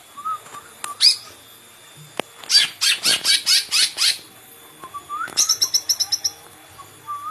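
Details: Cucak ijo (green leafbird) singing a varied phrase: short rising whistles, then a fast run of loud, harsh descending notes, followed by a quick rattling series of bright high chips and another rising whistle.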